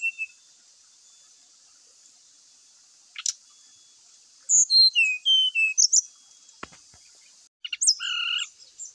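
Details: Brown-chested jungle flycatcher song meant to rouse rivals to fight: a quiet start with a lone chip, then a string of whistled notes stepping down in pitch, and later a few buzzy and whistled phrases.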